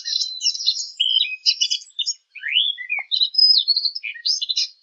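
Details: Bird chirping from a half-hour collection of birdsong: bursts of high, buzzy twitters mixed with clear rising and falling whistled notes, broken by short pauses.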